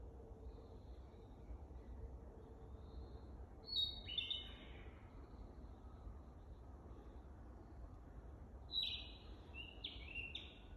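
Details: Practising narcissus flycatcher at Teganuma on 12 May 2023. Two separate high whistled phrases about five seconds apart, each a quick run of stepped, slurred notes, with a low constant hum underneath.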